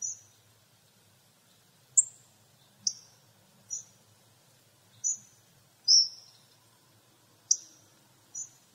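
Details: Hawfinch uttering a series of short, very high, clipped 'tzik'-like notes, spaced about a second apart, some with a brief falling tail; background otherwise quiet apart from a faint low hum.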